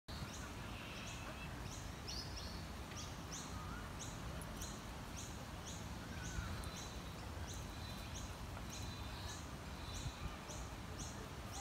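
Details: A family of Australian wood ducks (Chenonetta jubata) give thin, high, down-slurred peeps, about two each second, over a steady low background rumble.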